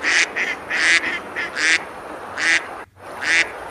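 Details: Ducks eating and splashing on a river in the medieval village of Besalú, Girona, Spain, on a summer day; an irregular run of loud, raspy quacks, some paired with softer shorter ones, over constant water-like hiss.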